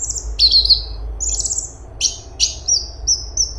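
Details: Straw-headed bulbul (cungkok) singing vigorously: a few loud, strongly falling whistles with buzzy edges, then three short, clear, high whistles near the end.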